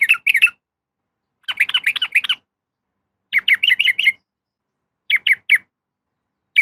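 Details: Sooty-headed bulbul female calling to a male, used as a lure: short bursts of sharp, slurred chirping notes, each burst under a second, separated by pauses of about a second.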